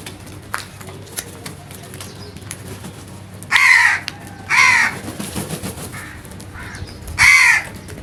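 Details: Loud crow sounds recorded naturally: three rasping caws spaced about a second apart in the middle and end, over faint background noise and scattered clicks.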